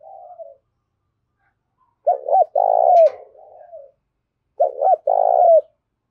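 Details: Spotted dove decoy cooing eagerly to draw in wild doves: two clear low phrases, each a quick double note then a drawn-out rolling coo falling at the end, with a faint coo between them.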